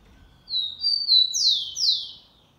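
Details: Rufous-collared sparrow of the Xavante song type, recorded on 04/10/2020, singing an 'affirmative' melody: a few high thin whistled notes followed by two loud descending slurred whistles, in a quiet setting.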